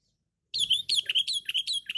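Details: Sooty-headed bulbul described as loud, chatty and strong-voiced, used as a lure recording: after half a second of silence, a fast run of about eight short, bright, bubbly chirped notes, each dipping and rising, with no other sounds.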